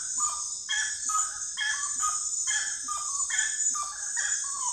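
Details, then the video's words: Common gallinule producing rhythmic groups of rising, squawky clucks, about one burst per second. A steady, piercing insect hum fills the background. "lindo canto da galinha da,agua ou frango da agua"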